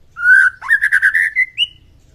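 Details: White-rumped shama morning song meant to raise fighting spirit: a long clear whistle, then a quick burst of rich warbled notes ending in a rising whistled note.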